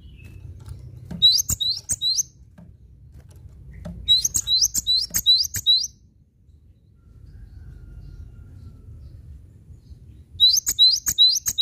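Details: Cinereous tit in strong song: three phrases of high, repeated double notes, about five per phrase, evenly spaced and ringing, separated by pauses, with a soft low hum throughout.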